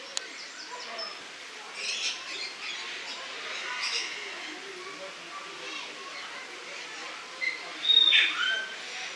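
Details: Lorikeets, filmed in August 2015 in Cornwall, give harsh, screechy bursts around two and four seconds, then a sharp rising whistle near the end, over a steady background hiss of chatter.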